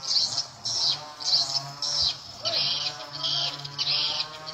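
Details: Edible-nest swiftlet lure sound, played with the volume turned to nine o'clock to bring swiftlets in at once: bright, high chirping bursts repeated about every half second over a steady low electronic hum.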